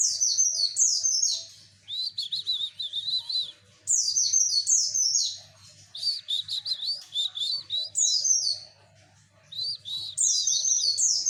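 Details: Javan white-eye song for luring males: energetic high twittering phrases, each opening with cascading whistled notes and then rapid chirps, repeated about every two seconds with brief silent gaps.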